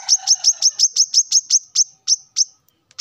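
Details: Morning rival-calling by a male plain-throated sunbird, a rapid string of piercing high chips repeated several times a second, spacing widening as the series fades, then a single fresh note.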